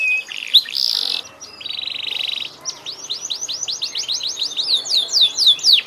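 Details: Canary song with a loud harsh burst, a steady buzzing trill, then a long series of quick rising-and-falling whistled notes growing in pace.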